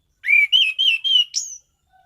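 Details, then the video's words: Orange-headed thrush delivering one loud phrase of four clear whistled notes on a level pitch, closed by a sharper, higher upward-slurred note, all within about one and a half seconds. "Burung Anis Cendana Gacor mapan.!!!"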